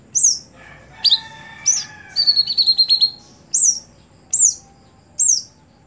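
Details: Caged cucak hijau (greater green leafbird), a contest bird that no longer performs, repeats clear high downslurred whistles, broken midway by a rapid ringing trill of metallic notes.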